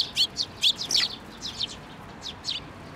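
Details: At a Tenmangu shrine in May 2024, sparrows come to a hand to be fed, uttering loud bright chirps in a rapid cluster, then softer scattered tweets.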